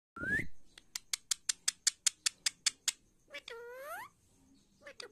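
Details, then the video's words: A pet talking parrot in a quiet room makes a quick run of about a dozen sharp clicks, then a drawn-out, rising-and-falling nasal voice. "Talking parrot. my parrot talking."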